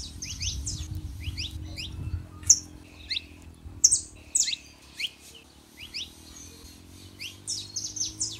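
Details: Scattered high chirps and sharp accented notes from a male and female saffron finch, with a low steady hum underneath, intended to rouse a silent canary.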